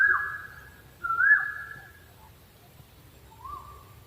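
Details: Two close, level-to-rising whistles from an owl, then after a pause a fainter third note, all against a quiet low rumble.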